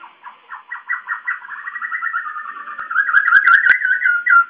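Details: White-crested laughingthrush, a loud, noisy caged bird said to sing many voices, giving a rapid run of repeated warbling notes that builds into a louder, rolling chatter, with faint clicks near the end.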